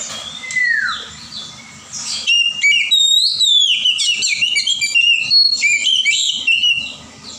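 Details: Oriental magpie-robin from the wild forest pouring out a continuous, dense song of varied whistles, slurred notes and rapid chattering twitters. Low background rumble underneath.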